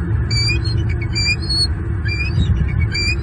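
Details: Male bald eagle at a Southwest Florida nest tree on a February 2023 morning, calling at an intruding eagle while guarding two chicks: short bursts of high, thin, rising chirped notes in quick groups over a steady low rumble.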